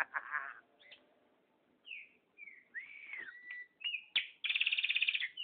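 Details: Chopi blackbird let out loose, its keeper coaxing it to come back, gives varied whistled notes, bent slurs, a sharp rising note and a fast regular trill near the end.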